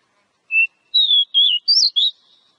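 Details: Short Oriental magpie-robin phrase, meant to encourage a kept bird to sing: five whistled notes in quick sequence, starting lower and climbing, the fourth sharply higher and slurred.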